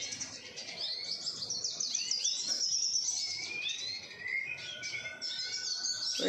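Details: Captive-bred siskins, several birds together, giving a dense, high, chattering twitter of quick chirps and buzzy slurred notes, with a brief steady whistled note near the end and faint background noise.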